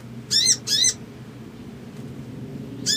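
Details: Crimson sunbird calling to provoke a quick emotional response: two quick sharp high chirps, a pause of nearly two seconds, then another chirp, over low steady hum.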